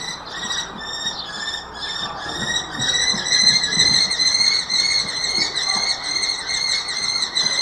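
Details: A pair of Common kestrels mating at Babenhausen-Harpertshausen, Germany, on 26 April 2021 at 17:24: a long, shrill, rapidly repeated whining trill of high harmonic notes, about two per second, over a faint background rumble.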